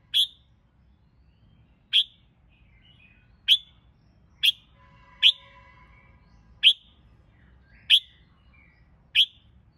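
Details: Red-whiskered bulbul heard in training for singing competitions: a series of short, sharp single notes repeated about every one to one and a half seconds, fairly irregular, with faint lower tones between them.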